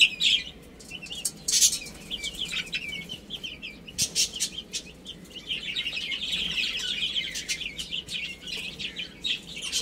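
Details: Several baby chicks eating and playing, with a steady chorus of thin, high, falling peeps that thickens toward the end, mixed with occasional sharp pecking clicks.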